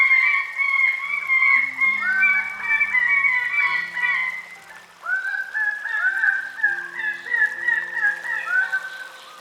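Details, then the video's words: Greater bird-of-paradise calling in a dense series of loud, nasal, slurred notes that rise and fall, with other similar callers overlapping. Soft background music with low sustained tones plays throughout. "Bird Sounds - Greater Bird of Paradise"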